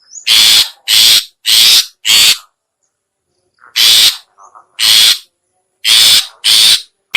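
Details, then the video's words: Long-tailed shrike lure call for attracting shrikes: groups of strident rasping notes, four in a row, a gap of over a second, then more harsh bursts with faint soft notes between, no other sounds. "suara pikat burung cendet/pentet/toet toet"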